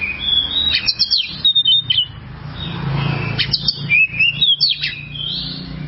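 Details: Oriental magpie-robin (kacer) in a long training recording for birds that are stuck or sing poorly. Bright whistled sweeps and chirps come in bursts over noticeable low-pitched background noise.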